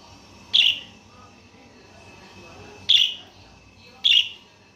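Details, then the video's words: Budgerigar giving three loud, sharp, high chirps, spaced about two and one seconds apart, over a quiet, faintly hissing background. "صوت التغريد الأصلي لطائر البادجي"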